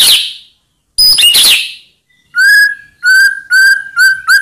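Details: White-rumped shama song to provoke rival birds: two harsh rasping bursts, then a steady series of six clear whistled notes on the same pitch, repeated about every half second.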